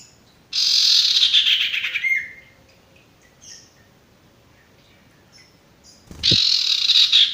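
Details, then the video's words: Male sirtu song used as a tutor for newly caught, stressed or silent birds: two loud, harsh, broadband chattering bursts, the first with a falling whistle at its end, separated by a quiet gap. "masteran burung sirtu bakalan maupun stres macet"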